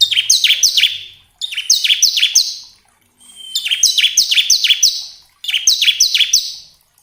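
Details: Song of the bar-winged prinia, played to get caged birds singing: four bright phrases of quick, repeated downward-sweeping notes, each phrase around a second long with short silent breaks between.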